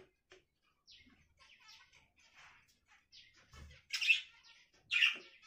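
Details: Budgerigar giving soft scattered chirps and short warbled notes, then two loud, harsh squawking calls about a second apart near the end, with a brief low thump in between.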